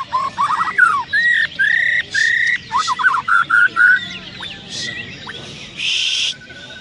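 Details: White-rumped shama singing at a bird contest in Landak on 15 October 2017: rich, varied whistled phrases in quick bursts, mixing clear rising notes with harsher chattering, while other birds and a busy crowd murmur behind.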